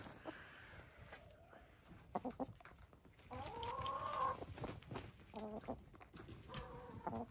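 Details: Hens of gray, lavender, blue and black colouring murmur while dust bathing: short clucks, then a drawn-out wavering croon near the middle and two brief harmonic notes, over scuffing dirt.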